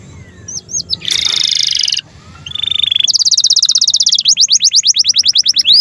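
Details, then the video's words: Canary singing for training young birds and silent canaries: a few high chirps, a dense buzzy burst, a steady low tour, then fast rhythmic trills of repeated falling notes. "SUARA BURUNG Kenari GACOR PANJANG INI Cocok untuk Masteran KENARI PAUD dan Kenari Macet BUNYI"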